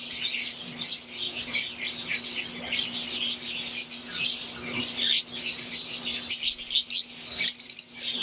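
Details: An aviary chorus of wild-type green Fischer's lovebirds plus Euwing birds: bright chirping that rises and falls in busy clusters, with a few louder piercing notes near the end and a low hum.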